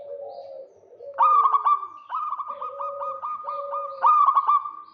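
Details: Local zebra dove calling hard in the rattly kerot style to provoke a rival: loud bursts of rapid throaty coos joined by a long, evenly pulsed run of notes, over faint lower cooing from other birds.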